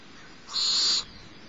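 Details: At Starr Ranch, the littlest barn owlet, fed by its mother on a March morning in 2011, gives a single rasping hiss of roughly half a second.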